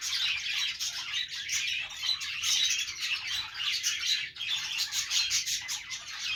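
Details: Playing budgies give a nonstop, crowded chattering of short high chirps and harsh squawks, overlapping so thickly that single calls barely stand out.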